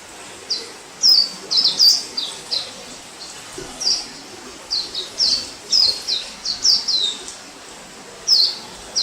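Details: Wild orange-headed thrush singing, recorded in 2018: short bright high notes, many sharply down-slurred, delivered in scattered bursts with brief pauses, over a soft hiss of background noise.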